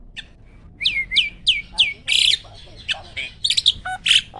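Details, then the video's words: Prize-winning caged starling giving loud burst phrases: four quick down-slurred whistles, a harsh rasp, then mixed chips and squeaky notes. "BURUNG SELALU JUARA || SPEED TEMBAKAN LANTANG"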